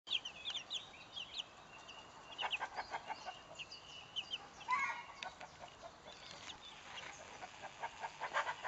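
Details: Salmon Faverolles chicks, twelve days old, peeping in short high chirps, some falling in pitch, scattered through the recording with a few lower clucking bursts and rustling.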